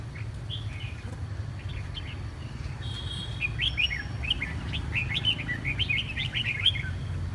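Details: The red-whiskered bulbul, mending after a lingering cough and hoarseness, gives scattered chirps, then a sustained stretch of rapid, cheerful warbled notes rising and falling. A steady low hum runs throughout.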